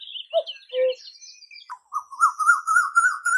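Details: Koyal, the Asian koel, whose song marks the coming of spring: after a few low paired notes and thin chirps, a fast, bubbling string of rising whistles runs on steadily and climbs a little higher to the end.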